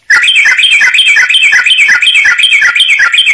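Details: Sooty-headed bulbul song for training other birds, a dense continuous stream of quick bubbly notes repeated about three times a second, loud and unbroken.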